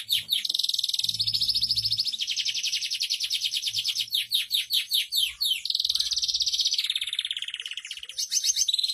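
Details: Canary song meant for training other canaries: long rapid high trills alternate with series of sharp downward-swept whistles, continuous and energetic, with faint low background noise.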